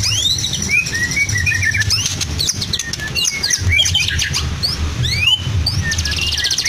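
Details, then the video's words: Medan white-rumped shama kept in a cage, its song filled with lovebird, canary and cililin imitations: fast upward-sweeping whistles and chattering trills throughout, with a low background drone. "Murai BATU MEDAN FULL ISIAN LOVEBIRD, KENARI, CILILIN | SHAMA BIRD"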